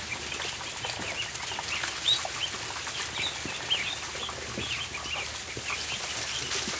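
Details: Ducklings on a barn floor at feeding time, giving thin, high peeps scattered through the clip, with one or two clearer upslurred notes and a steady bed of clicking and scratching.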